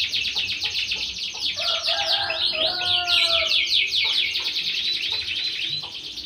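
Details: Canary from a backcountry breeding aviary, raised for contest singing: dense high rolling trills overlaid midway by several lower, drawn-out whistled notes, then trills resume to the end.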